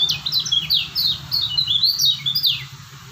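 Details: Lombok kecial kuning white-eye pours out rapid, high twittering song phrases of sharp sliding notes that run almost without pause.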